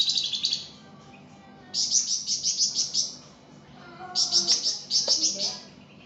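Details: Flamboyan singing actively, used as a tutor recording: three bursts of quick, bright, high-pitched notes, each about a second long, with quieter faint sounds between bursts.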